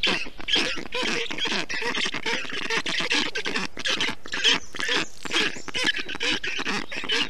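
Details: Estonian black stork nestlings calling on 20 June 2021 as the adult male brings wet grass and water to cool the nest; rasping, nasal calls repeated rapidly, a busy overlapping chorus of begging-like notes.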